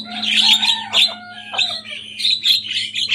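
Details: Young Javan myna singing loudly and copying rival birds: raspy chattering phrases mixed with clear sliding whistles, in quick bursts, over a faint steady hum.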